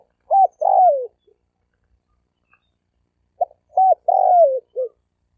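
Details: Male spotted dove calls to attract females with two phrases about three seconds apart, each a short note, a long coo sliding downward, and a low closing note. Quiet surroundings.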